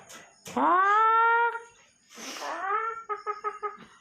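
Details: A pet common myna talks while its owner coaxes it to say "Hare Krishna": a long, drawn-out voice-like syllable, a second rising one, then a quick run of five clipped, even notes in an otherwise quiet room.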